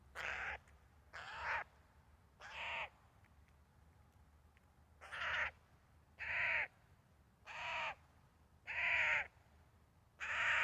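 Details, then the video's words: Eurasian jay (Garrulus glandarius) giving harsh, rasping screeches, each about half a second long, repeated irregularly about every second or two over a quiet background. "Eurasian Jay sounds 16 Sójka zwyczajna (Garrulus glandarius)"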